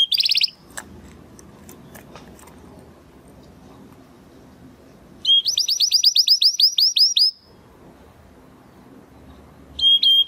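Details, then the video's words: Belgian canary singing 'estralando': a two-second run of rapid, evenly repeated downslurred high notes, bracketed by short whistles, with long quiet stretches in between. "CANÁRIO BELGA CANTANDO ESTRALANDO !"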